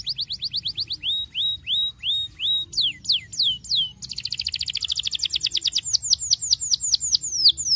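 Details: Canary song for encouraging young canaries to sing: repeated drawn-out rising-falling whistles about three per second, then quick downslurred notes, becoming a dense, fast, loud trill of sweeping notes.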